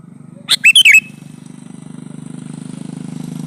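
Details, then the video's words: A male sooty-headed bulbul calls for a female with a rapid four-note whistled phrase, bright and slurred, followed by a steady low engine-like drone that grows through the rest of the recording. "suara burung kutilang jantan memanggil betina"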